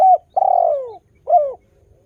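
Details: Spotted dove in a lure recording meant to make new doves call back: three low, mellow cooing notes, the middle one long and gently falling, separated by short pauses, over a quiet background.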